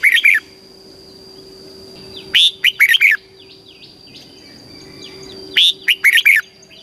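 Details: Southern master-style song of a red-whiskered bulbul from Thailand, used to teach young caged birds. Bubbly five-note whistled phrases recur every three seconds, with soft, distant chirps from other birds between them.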